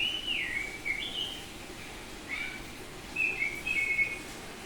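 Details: Bali-type oriental magpie-robin, semi-tame and singing freely, gives clear whistled phrases with wavering and stepped notes, a pause, then a quick run of bright whistles.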